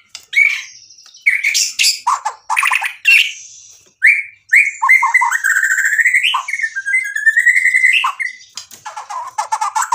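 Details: White-rumped shama, a caged songbird, singing a varied song full of mimicked phrases; harsh buzzy bursts, then a long run of clear whistled notes and a rolling trill.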